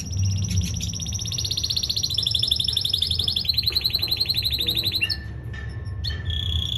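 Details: Male canary in singing training, delivering a fast rolling trill of high repeated notes that steps down in pitch in stages, then breaks into short sharp chirps and a brief higher trill near the end, over a low steady hum.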